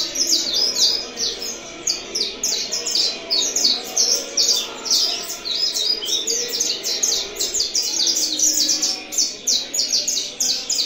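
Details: Saffron finch singing in a back-and-forth with another bird. Dense bursts of shrill, clipped chirps rise and fall in rapid volleys, one roughly every second, keeping up a lively, insistent rhythm throughout.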